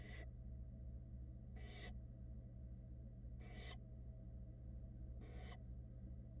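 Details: At a Florida barn owl nest watched by camera, young owls protest as their mother tries to dry off after getting wet. Four rasping, breathy hiss-screeches sound roughly every one and a half seconds against a constant low electrical hum.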